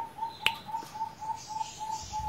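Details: Caged pet zebra dove, a prized bird fussed over by its owner, gives a steady run of short soft cooing pulses, about four a second, with one sharp click and faint room noise behind.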